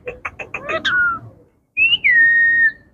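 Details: Indian ringneck parakeet kept as a pet, talking: a quick run of short harsh syllables, then a clear whistled note falling from high to mid pitch, a pause, and a long sliding whistled phrase.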